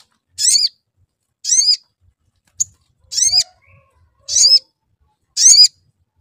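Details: Sooty-headed bulbul lure call meant to prompt singing: sharp, chirpy twittering bursts about once a second, six in sequence, with one brief click-like note between and a quiet background.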